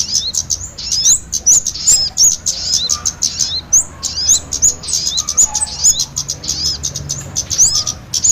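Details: Lure recording of kemade with sogon birds for trapping small birds: constant shrill twittering and ticking with scattered upslurred whistles, several birds calling at once.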